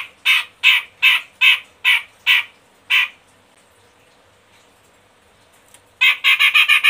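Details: A grey-cheeked bulbul (Medan type) used as a lure call gives seven harsh, raspy notes about every half second, then after a short pause a quick burst of the same chattering notes.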